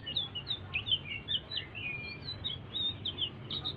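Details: Short bout of soft blue-throated bee-eater song, meant to stimulate other birds: rapid, irregular high chirps and slurred whistles, about two or three each second, over a low hum.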